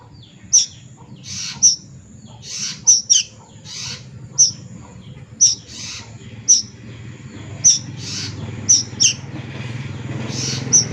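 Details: Juvenile plaintive cuckoo giving a long run of shrill high notes, singles and quick pairs about once a second, alternating with soft rustling hissy bursts.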